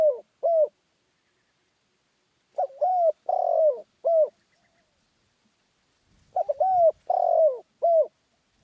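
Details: Lively 'khan yon' crowing from a spotted dove: two short coos end a phrase. Then two complete four-note phrases follow about three and a half seconds apart, each with a long buzzy falling middle note. Faint low rumble between phrases.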